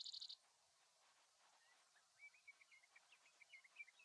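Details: Male Brewer's Sparrow on his territory in big sagebrush near Silver City, Montana, on a July 2022 morning after sunrise, giving his simple two-buzz short song: a brief, high, dry buzz, then faint scattered chirps and twittering over a quiet background.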